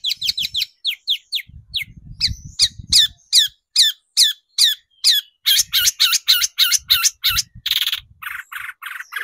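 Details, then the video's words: Long-tailed shrike singing hard on a lure track meant to provoke shrikes. Rapid falling squeaky notes become loud harsh squawks, repeated about twice a second, with low thumping noise at times. "PANCINGAN CENDET BIAR EMOSI DAN GACOR, SUDAH TERBUKTI AMPUH BANGKITKAN EMOSI BURUNG CENDET"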